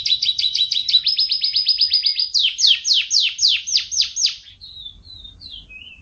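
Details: Canary song: fast, even trills of sharp high notes, then a run of louder downward-sweeping chirps about three per second, ending with a few thin, scattered whistles; no other sounds.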